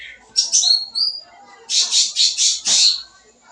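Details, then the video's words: Sooty-headed bulbul in full, busy song packed with fill-in phrases, played as a lure for young birds; two short whistled slurs, then five rapid harsh chattering bursts high in pitch, evenly spaced. "Suara Cucak Ranting Gacor Full Isian, Cocok Buat Pancingan Burung Bahan"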